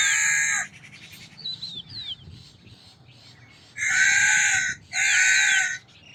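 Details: Crow calling with harsh, hoarse caws: one at the start, then after a gap filled with small birds' high twittering, two loud, evenly spaced caws about a second apart.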